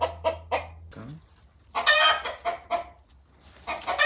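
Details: Five-and-a-half-month-old domestic rooster calling continuously beside a hen getting ready to lay her first egg. Short, harsh clucks come in uneven bursts, with a louder, noisier cluster in the middle and brief quiet gaps.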